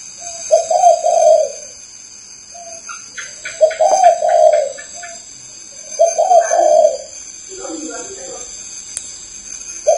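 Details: Cooing Spotted dove in Ba Vì, Hanoi, Vietnam, repeating a deep, rounded two-part phrase about every three seconds, with a brief burst of quick higher chirps from another bird and a constant electrical hum.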